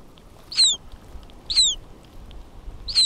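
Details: At Churchill, Manitoba, in July 2010, Hudsonian godwit chicks calling from inside their hatching eggs give three thin, high, downslurred peeps over about three seconds. Their mother was being banded a few metres away.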